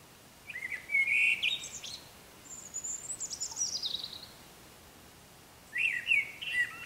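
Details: Eurasian blackbird singing in the morning while still dark, a European robin singing in the background; warbled fluty phrases open and close the stretch, with a thin high trilling strand between them over a quiet hiss.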